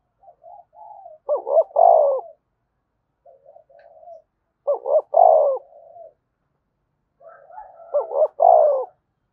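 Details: Repeated cooing of a spotted dove meant to excite wild doves: three phrases about every three seconds, each a soft lead-in murmur, two clipped notes, and a drawn-out, descending coo.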